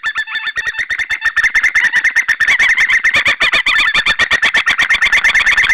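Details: Two eagles of a nesting pair in Estonia, late February 2013, near the sea, call together in rapid, harsh, chattering yelps that run on steadily without pause.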